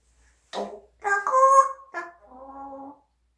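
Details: A pet parrot talking indoors: a short clipped syllable, then a loud sustained voice-like phrase and a softer, lower, steady drawn-out tone at the end.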